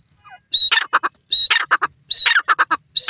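A francolin calls in loud, harsh, ringing phrases: a sharp high opening note, then a quick run of three or four clipped notes, repeated roughly every three-quarters of a second.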